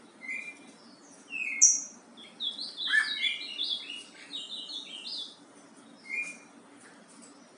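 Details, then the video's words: Yellow-bellied seedeater with the Bahia song type, delivering scattered high whistled notes and short twittering bursts at varying pitch, quieter and more broken, over a background hiss. "PAPA CAPIM BAIANO"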